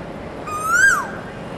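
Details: A male Asian koel singing in a neighbour's garden gives one loud, clear whistled note that climbs steadily in pitch, then drops away quickly at the end, over a soft background hiss.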